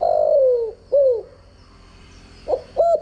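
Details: Decoy cooing for training spotted doves: a long falling coo and a short arched note, a pause, then two brief clipped coos, over a thin steady high whine.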